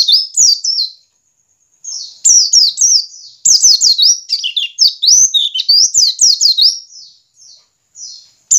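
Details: Lively white-eye ngiriwik lure for prompting caged white-eyes to sing: rapid, chattering runs of high downslurred and upslurred chirps, several per second, broken by one short pause before an extended busy sequence.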